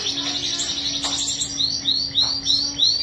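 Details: Singing canary opening with a fast buzzy trill, then a series of bright rising whistled notes spaced roughly three per second, with a steady low hum in the background.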